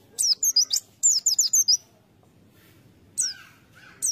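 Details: Lure-bird white-eye giving quick series of sharp, high, descending chirps in two runs, then a pause and a couple of single call notes, over faint low background noise.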